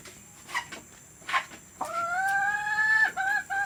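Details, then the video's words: Mother hen sound to entice hens to lay: two soft clucks, then a long, steady nasal call lasting over a second. Two shorter notes follow. "Suara pemikat ayam betina agar mau bertelur"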